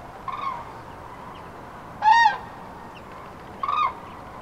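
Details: Common cranes on pre-nuptial spring migration over central France, where departments 19, 24 and 87 meet, on 5 March 2016, in the afternoon, many groups broken up by bad weather; three short harmonic trumpeting calls, the middle one loudest, over a low steady background hiss.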